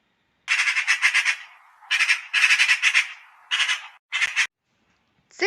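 Eurasian magpie giving loud, harsh, rattling chatter in five bursts of rapid dry notes, with a snatch of music at the very end.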